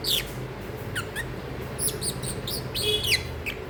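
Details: A sleepy but noisy pet masked lovebird gives scattered short, high, squeaky chirps, some in quick pairs, over a steady low indoor hum.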